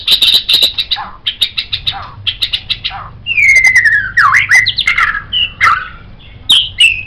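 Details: A white-rumped shama, recorded as a tutor for songbirds, gives a rapid series of repeated chattering notes, then switches to long swooping whistles and sharp accented calls.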